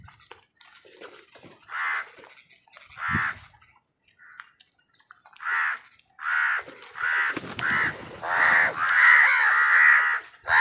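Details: Wild crows squabbling with other birds over food, giving harsh nasal caws in repeated bursts that grow louder and come faster toward the end, with scattered thumps and rustling between calls.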